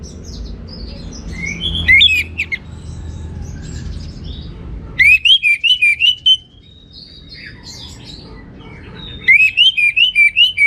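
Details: Orange-headed thrush song in teler style: three separate bursts of quick, bright slurred notes in rapid sequence, each lasting about a second, with quiet gaps of soft twitters and a low hum between.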